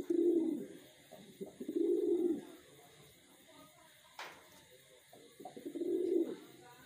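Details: Reared wild pigeon cooing: three deep, rounded, rolling coos, each about a second long and spaced a couple of seconds apart, with a sharp click between the second and third.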